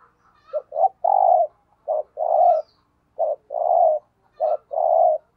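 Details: Decoy spotted dove giving thúc gù coos in quick succession: four phrases, each a short clipped coo followed by a longer throaty coo, roughly every second and a half.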